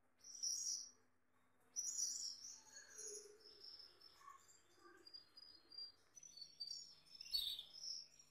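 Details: Short whistled notes and brief warbles from a male Gloster canary near a female, starting after a pause, with soft lower chirps mixed in and a faint background hum.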